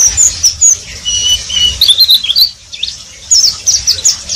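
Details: Oriental white-eye (pleci) delivering a riwik phrase: thin high whistles, then a burst of quick squeaky twittering notes, a brief lull, and another flurry of chirps.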